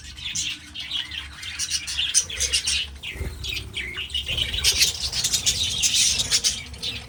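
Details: Flock of breeding budgies gives continuous scratchy warbles and quick chirps, steady throughout, with soft fluttering and low rumbling in the background.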